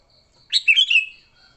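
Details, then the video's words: Sooty-headed bulbul singing in a fighting mood, a sound used to attract wild bulbuls: a single chattering phrase opening sharply, then rolling, liquid notes falling away, clear and close. "Suara Burung Kutilang Gacor TARUNG Tanpa isian, Ampuh untuk pikat Kutilang jadikan Kutilang ribut."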